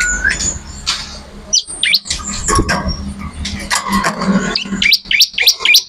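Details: Bar-winged prinia (ciblek) singing vigorously, recorded as tutor material for songbirds: rapid, irregular bursts of high, sharp chirps and short rising notes, thickening into a quick run of bright strokes near the end over low background hum.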